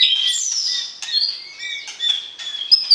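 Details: White-rumped shama singing to arouse the opposite sex before pairing and moving into a breeding cage. High, varied whistles slide and warble, mixed with sharp chips and a few clicking notes.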